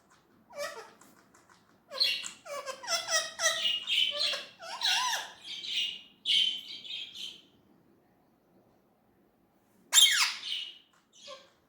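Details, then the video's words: Talking Indian ringneck parrot: a long stream of rapid, nasal, word-like syllables with wavering pitch, followed by a pause and then a single sharp squawk and a faint final note. "Natural talking parrot voice"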